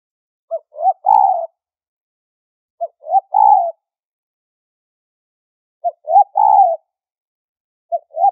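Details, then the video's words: Spotted dove lure call for trapping, high-pitched, with four three-part phrases of a short note, a rising note and a long coo, spaced at slightly uneven intervals with nothing else audible. "SUARA PANCINGAN BAHAN PIKAT NADA TINGGI"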